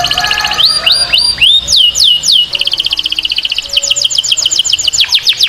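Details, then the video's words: A canary sings a loud, rolling training song of rapid upslurred whistles and trills, several notes per second, high-pitched and continuous, with no other sounds. "Canary 's most powerful song for training CANARY SINGING"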